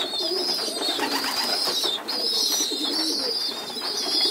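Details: Squabs of domestic pigeon, moved to the floor for group feeding in a loft, keep up a shrill piping chorus with one brief break, plus soft low grumbling notes.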